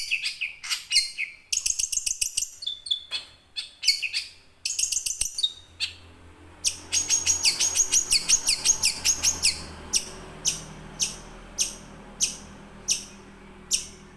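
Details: Young wild long-tailed shrike giving rolling song, used as a lure to get silent caged shrikes singing: sharp high chattering notes in bursts, then a steady series of single clipped notes about every 0.7 seconds.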